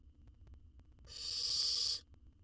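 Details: Nestling owl in a wild nest box watched by research cameras, swallowing a jird whole; one drawn-out rasping hiss of about one second rising out of near silence, with low rumble underneath.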